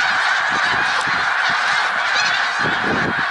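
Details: Snow geese at Middle Creek Wildlife Refuge, Pennsylvania, 1 March 2021, a close, intense clamour of high-pitched honks from a vast flock, almost without pause.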